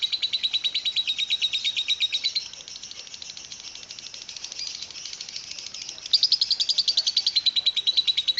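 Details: A lovebird keeps up its long chattering, 'ngekek panjang', in the steam-train 'kereta uap' manner: a dense train of high chirps that softens through the middle, then swells loud again toward the end.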